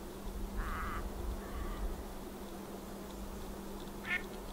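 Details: Pacific black duck with ducklings gives a drawn-out nasal note lasting about half a second, then a fainter, shorter note. A brief high peep follows near the end against a quiet background hum.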